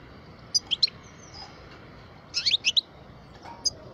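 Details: Twelve-year-old caged European goldfinch of the parva type singing; short clusters of sharp, high twittering notes at about half a second and two and a half seconds, then a single chip, with quiet background hiss.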